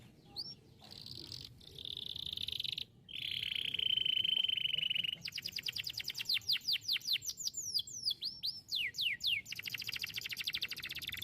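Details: Canary song for prompting other canaries to sing: begins with a soft, then louder sustained rolling trill, followed by a long run of quick sweeping whistled notes and a closing rapid ticking trill.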